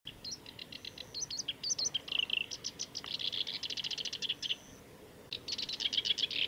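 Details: At the Kita-Fuji training area, Japan, on 29 July 2018, a black-browed reed warbler sings a fast, chattering run of high, varied notes: sharp chips, trills and buzzy phrases. It pauses briefly, then resumes just as rapidly.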